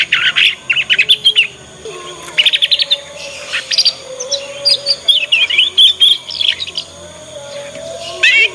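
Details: Young Yorkshire canary learning the ngriwik sound, used as a lure so other canaries learn quickly. It gives repeated bursts of fast, high, buzzy trills and twittering phrases. A steady low whistle-like tone runs underneath.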